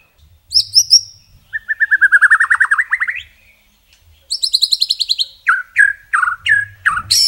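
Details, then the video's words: Masteran song of a white-rumped shama with long, fiery bursts: a high whistle, then a lower rapid rattling trill, a fast high buzzy series, and several loud upslurred notes, with faint low rumbling underneath. "Masteran Murai isian mewah tembakan panjang panjang super pedas | shama bird song"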